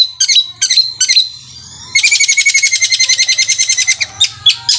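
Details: Long-tailed shrike singing 'roll speed' with a 'kuntilanak'-style voice compared to a sewing machine: three sharp, high separated notes, a pause, then a long rattling trill of rapid pulses and a few closing whistles.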